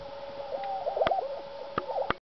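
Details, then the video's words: Two High Plains lesser prairie-chickens displaying; a hollow, bubbling display call of wavering mid-pitched notes, broken by a few sharp clicks. "Lesser Prairie Chicken Showing Colors and Sounds"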